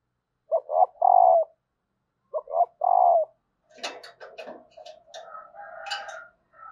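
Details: Female spotted dove call meant to start males cooing: two low three-part phrases, quick double notes and a long hooting note. Clattering clicks and a higher, strained call follow.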